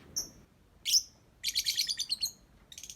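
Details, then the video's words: Lovebird kept as a pet, praised as pretty and good at singing, giving high chirps: two short whistled notes, then a rapid run of about a dozen buzzy chirps, and a final burst of quick twitters. "Love Bird Cantik Pinter Nyanyi"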